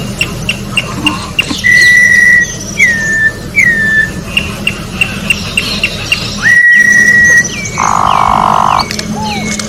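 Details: Wild orange-backed troupial giving clear sustained whistles and descending slurs amid steady short ticking pulses, with a harsh hissing burst near the end.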